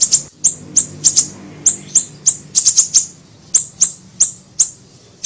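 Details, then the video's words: Small siri-siri bird, lure recording for bird catching: lively stream of high-pitched chips, single and in tight groups of two or three, repeated every fraction of a second. "MASTERAN PANCINGAN PIKAT SUARA BURUNG SIRI SIRI KECIL"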